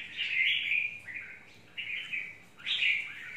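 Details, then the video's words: Red-whiskered bulbul, a wild-type bird, singing short warbled phrases around the upper-middle pitch range, three bursts in just over three seconds with brief pauses between. "Chào mào mộc VIP"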